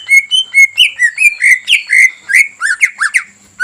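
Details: Greater green leafbird song meant to provoke a rival into agitation and singing: a continuous run of varied whistled notes, some rising and some falling, delivered about twice per second with a few sharper chips.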